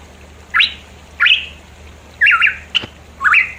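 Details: Pitohui from the mountains of East Java, used as a lure to prompt singing: loud rising whistled notes, some doubled and wavering, about one per second with short silent gaps between.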